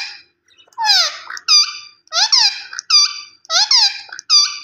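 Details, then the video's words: Rose-ringed parakeet, a green ringneck, calling in a steady series of shrill, rasping squawks. Each is a falling screech followed by a flatter note, repeated roughly every 0.7 seconds. The background is quiet. "Gareen Ringneck Parrot Natural Sounds Vice"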